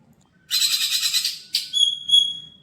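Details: Caged greater green leafbird, an untrained bird tried out at a bird kiosk, gives a loud harsh buzzy burst, then a short rasp and several clear high whistled notes, on a quiet background.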